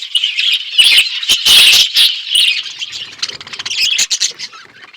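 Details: Budgerigars in an outdoor aviary chirping: a busy, buzzy warbling chorus with squawky notes and clicks, loud at first, then thinning into scattered chirps.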